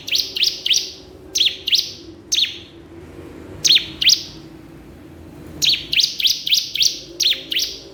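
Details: Crystal prinia calling a rival: clusters of short, sharp, high ticking chirps in runs of two to six, with quiet gaps between runs.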